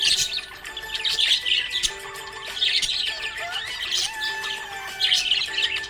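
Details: Budgerigar chirping in a happy mood, groups of bright scratchy chirps and short chattering phrases separated by brief pauses, with melodic background music throughout.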